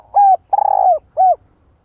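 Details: Spotted dove decoy bird calling to stir up a male: a three-note cooing phrase of a short hollow coo, a long burred trembling coo that slides down, then a short coo. The background is quiet.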